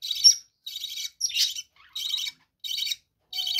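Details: Budgerigars in a bird room, kept in captivity: a series of harsh, buzzy squawks about every half second or so, one louder and more strained.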